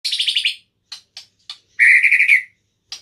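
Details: White-rumped shama singing indoors in a room: a rapid burst of high chattering notes, a few sharp isolated ticks, then a loud trilled whistle and one last tick.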